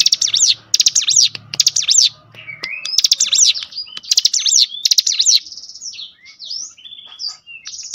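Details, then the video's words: Cinereous tit song, used as a lure to stir other cinereous tits into singing: bursts of rapid, high zigzag notes repeated in quick phrases, then softer rising and falling whistles, with a low hum under the first half. "spontan emosi Cigun manapun langsung gacor dengan pancingan ini"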